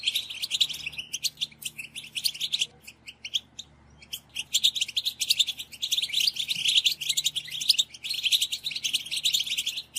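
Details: European goldfinch group calling, a batbata used to stir males to sing: a thick mass of high twittering chirps, a quieter stretch near four seconds, then a continuous, dense chorus of overlapping notes.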